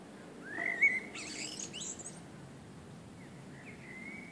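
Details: Common blackbird singing on a summer evening: a clear, fluting whistle that slides upward, followed by a brief higher, scratchy twitter, then a softer whistled phrase near the end over a low, steady rural background hum.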